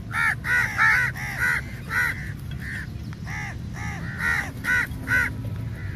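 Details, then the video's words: Large flock of crows attacking food at feeding time: loud, harsh caws overlap in quick, irregular bursts, several calls each second, over a steady low rumble of background noise. "Crow Sounds Very Loudly"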